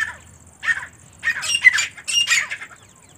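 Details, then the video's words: Teetar female partridge calling in scratchy, grating notes, starting with softer single calls, then louder doubled bursts building toward the end. "teetar ki awaaz & teetar female sound"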